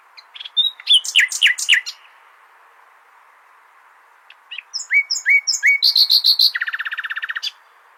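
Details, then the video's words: Common nightingale singing, used as a tutor song for goldfinches: two bursts of varied phrases, sharp rising chirps and buzzy notes, then a fast even rattle-like trill of about twenty notes, with a short pause between phrases. "تغريد جميل للعندليب لتحفيظ طيور الحسون"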